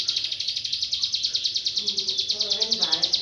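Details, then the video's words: A prinia (ciblek gunung) gives a fast, steady run of high, buzzy ticking notes, about ten a second, used as a training song for songbirds; a faint low voice joins near the end. "ciblek gunung gacor"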